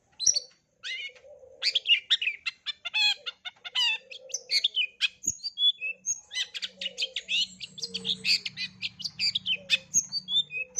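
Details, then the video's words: Full mimicry repertoire of a long-tailed shrike for young shrikes to learn: after a short pause, a dense rush of clicks, squeaky chirps and quick trills, then clearer separate whistled notes, over a soft low droning background. "Cendet isian lengkap, COCOK untuk CENDET MUDA belajar BUNYI"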